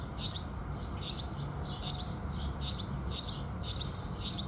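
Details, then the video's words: At sunrise, house sparrows sing a run of seven clipped, high chirps at an uneven, loosely regular pace, each a short bright note, over quiet low ambient noise. "Sparrows Singing"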